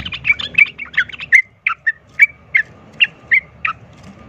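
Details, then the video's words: Sooty-headed bulbul 'ropel tarung' fighting song meant to set other bulbuls fighting; a fast tumbling chatter, then separate bright chirps spaced about a third of a second apart, slowing toward the end. "pancingan trucukan ROPEL TARUNG ini bikin trucuk lain seketika ikut EMOSI tarung"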